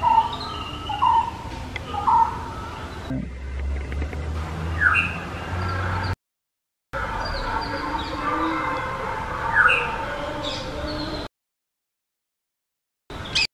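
Black-hooded oriole giving short, liquid whistled notes about once a second, some higher and slurred, with a low rumble and breaks of silence between.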